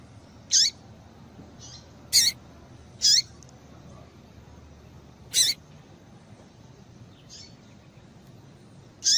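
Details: Female double-collared seedeater call, meant to excite males into singing. Brief, very high, sharp chirps given singly at irregular gaps of one to two seconds, six in all, over a quiet room hum.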